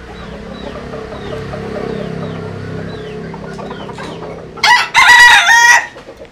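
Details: Bantam rooster bred from a Japanese bantam hen and a Cuban rooster crows vigorously: a loud, ringing, slightly wavering crow of about a second after a hesitant start, with faint high chirps of small birds in the background.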